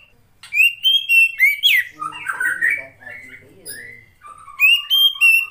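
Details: A female Oriental magpie-robin, whose song is used to draw lazy males into singing, pours out fast whistled and chattering phrases, with a rougher, lower jumbled passage in the middle before bright whistles return.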